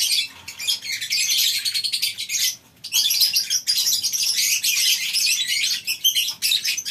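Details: Morning chorus of captive lovebirds kept in a farm's colony cage: harsh high chirps packed tightly, a short lull around two and a half seconds, then dense chattering resumes.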